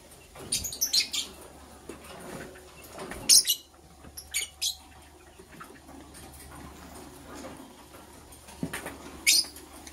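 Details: Repeated quick, shrill chirps in short clusters from green and blue lovebirds during preparation for egg laying, with irregular gaps and soft shuffling noises in between.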